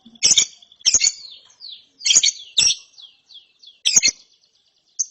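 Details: Chick lovebird, after therapy, repeating harsh scratchy double chirps about once a second, each trailing into faint downslurred notes.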